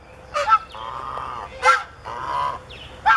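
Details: A domestic goose of the kind called Iraqi goose, at a lakeside enclosure in a wildlife park near Riyadh, gives three loud, harsh honks about every 1.3 seconds, with drawn-out nasal calls in between.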